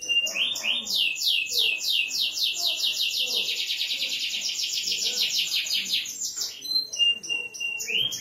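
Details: Canary delivering a long rapid trill of repeated downslurred notes, about six per second, steady for several seconds before breaking into scattered chips, with faint voices beneath.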